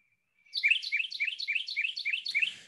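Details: Spring in South Carolina: a Carolina Wren sings a quick run of about eight loud, rolling slurred phrases, roughly four per second, high and ringing; this quicker song type is often confused with the Kentucky Warbler's.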